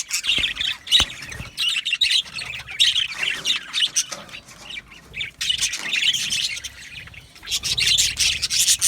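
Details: Australian budgies in a colony aviary: bursts of harsh squawks and bright chirps alternate with quieter stretches, the chatter surging strongly again toward the end.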